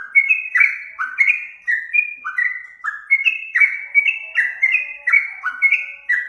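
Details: Yellow-vented bulbul (trucuk), a kept songbird, singing a loud, rich run of short whistled phrases, each stepping down in pitch, repeated about twice a second with chattering, liquid notes between, no other sounds.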